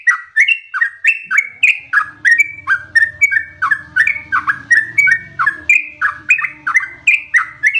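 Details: Long ropel song of a yellow-vented bulbul: quick, liquid whistles stepping up and down in pitch, delivered almost without pause, with a faint low rumble underneath partway through.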